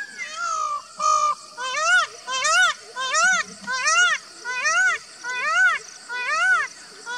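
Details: Indian peafowl calling: a series of loud, nasal, arched wails repeated about once a second, each rising then falling, over a faint steady insect hum.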